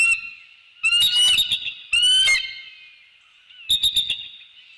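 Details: Pair of wild bald eagles at a treetop nest in The Hamlet, early morning, 15 December 2019, greeting and mating on a nest camera: loud squawking, chattering bursts, two long rough calls, then a quick stuttered series of notes.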